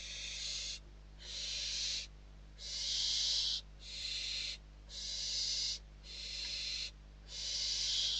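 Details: Barn owl nestlings in Spain begging and competing for prey brought to the nest in December 2023, giving a steady run of seven rasping hissed screeches, each around a second long with short gaps.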